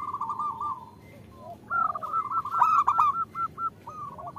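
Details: Female zebra dove calling to a male, intended to lure males into cooing. A short rolled coo, a pause with faint low notes, then a loud run of quick repeated notes with a stuttering burst.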